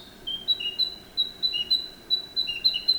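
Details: Narcissus flycatcher giving a fast, rhythmic series of paired whistles, high clear notes answered by lower slurred ones, repeated about three times a second without pause.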